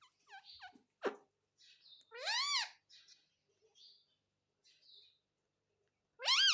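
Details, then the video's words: Indoor pet parrot saying "mummy": a few soft, quick chirpy notes, then a loud, harsh arching phrase, quiet mutters, and a final loud rising utterance. "Mummy Mummy Bolne Wala parrot"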